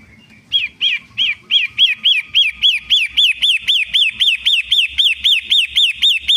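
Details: Lure song of a long-tailed shrike: a bright, arched up-and-down note repeated very regularly, nearly four times a second, after a brief quiet start.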